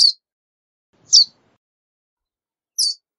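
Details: Verdin call: isolated high, sharp chip notes spaced irregularly, roughly one every second or so, with nothing else audible.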